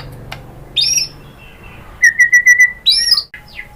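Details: White-rumped shama song from Indonesia, played to provoke a caged shama into answering: a few short high whistled phrases, then a quick burst of five clipped notes and a final rising flourish, over low background hum.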